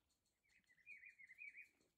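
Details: Rufous-browed peppershrike (pitiguari) singing in the Atlantic Forest: one faint warbled phrase about a second long, wavering up and down, over a soft hiss of insects.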